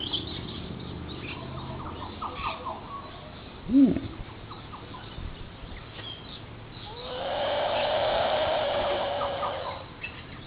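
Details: Bush stone-curlew at Oak Beach, Far North Queensland, hissing in a disturbing way: a long, harsh, airy rush of about three seconds near the end, preceded by faint clicks and a brief tonal knock.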